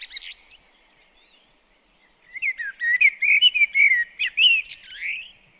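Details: Blackbird visiting a garden bird table, its song opening with a faint high squeak, then after a short silence a run of rich, mellow warbling notes with thin, shrill squeaks mixed in.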